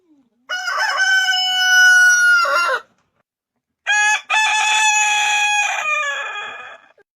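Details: Two crows from a chicken, the first long and steady for about two seconds, the second starting with a short clipped note before a long harsh, bright cry that fades out.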